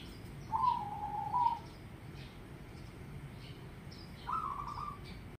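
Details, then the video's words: Local zebra dove singing: a drawn-out, gently trilled mid-pitched coo phrase, a pause of about three seconds, then a shorter rolling coo, with faint high clicks and steady low background noise. "Perkutut Gacor"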